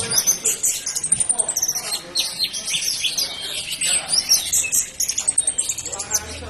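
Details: Orange-headed thrush singing in the 'jurus mabok' style: a dense, rapid stream of high twittering and chirping notes with sharp whistled accents that runs without pause throughout.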